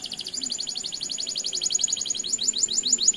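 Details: Canary in a long rolled song used to provoke other canaries into answering: a rapid, even high trill of repeated sweeping notes, about fifteen per second, continuing steadily throughout over faint background hiss.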